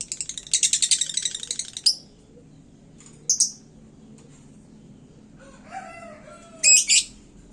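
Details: Lovebird kept in a hanging cage, in fired-up song aimed at upsetting other birds. It opens with a rapid buzzy trill, then scattered sharp high chirps, while a rooster crows faintly in the middle.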